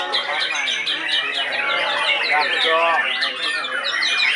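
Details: White-rumped shama, seven months old, singing in the Police Cup 1 contest with a rain of shot notes: quick sharp chips and slurred whistles in a continuous busy stream, amid other competing birds and human voices.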